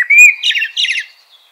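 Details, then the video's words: Mellow rising whistle from a common blackbird, followed by two quick bursts of high, chattering twitter that trail off softly. "Natural Birds Voice, Bird Natural Sound.Common Blackbird."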